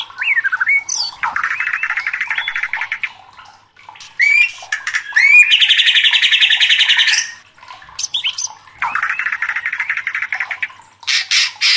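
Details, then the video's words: Murai batu, the white-rumped shama, in loud agitated 'gacor' song used to provoke and train contest birds: long buzzy rattling trills held for seconds, broken by swooping whistles and sharp high notes. "MURAI LANGSUNG KOAR-KOAR TERSULUT EM0SI | murai batu gacor | shama bird"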